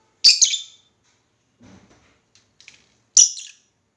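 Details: Pet lovebirds kept at home give two loud, harsh, high squawks about three seconds apart, with faint soft chatter and small clicks between them.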